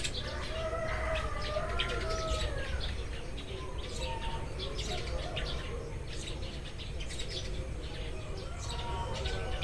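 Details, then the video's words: Several Eurasian tree sparrows chirping as morning arrives: a dense, irregular stream of short, sharp chirps, about three a second, over steady low background hum and some drawn-out tonal notes from other birds. "burung-burung gereja berkicau saat pagi tiba"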